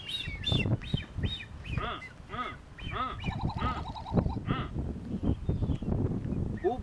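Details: Blue-footed boobies (Sula nebouxii) on North Seymour Island, Galapagos, in April 2014 give a run of short, arched, whistled calls, several per second, over a low rumble of wind and people talking.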